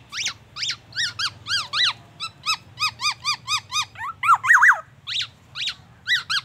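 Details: Black-naped oriole song mimicking oriental magpie-robin and ambulance siren, made of loud stacked chevron notes, steady series of rising-falling chirps about twice a second, and a few sharp emphatic calls.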